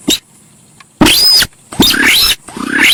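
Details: Javan pied starling lure sound: one short click, then three harsh, rasping screeches, one with a thin whistled arc and others with rising squeals, over a background hiss.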